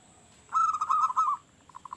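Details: Local zebra dove with a big, lively voice, used as a lure that other zebra doves favour: a rolling, warbled coo lasting about a second, then four short soft coo notes in quick succession, over a faint steady background hiss.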